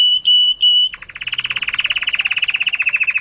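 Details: Canary mating song: three sustained pure whistles broken by gaps, followed by a long even trill of rapid pulses holding one pitch.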